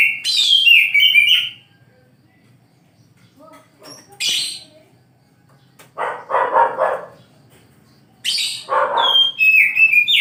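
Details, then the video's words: Oriental magpie-robin in the morning giving quick whistled and slurred notes, then long silences, two harsh rasping bursts, and a final run of sharp whistles, over faint low hum. "KICAU KACER DI PAGI HARI"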